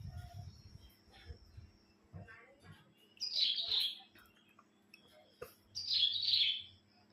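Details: Cilang bird kept as a pet, singing on a bright morning: two bright, buzzy, slightly descending warbled bursts about two and a half seconds apart, with faint chirps and a low hum in the background.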